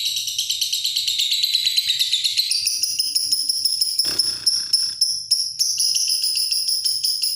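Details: High, tinkling lovebird chatter in a long ngekek, the rapid notes climbing to a sharper, thinner pitch partway through, with a short clattering noise near the middle.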